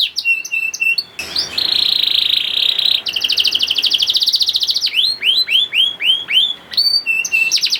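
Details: Young canary singing a lure song meant to get reluctant canaries to start singing: steady whistled notes, then a loud buzzy trill, a fast rattling trill, and a run of downward-swept whistles ending in another trill.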